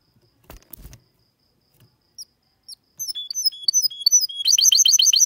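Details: Soft knocks and isolated notes lead into a goldfinch x canary hybrid's song, recorded in 2022. High whistled phrases speed up into a dense, ringing trill at the end.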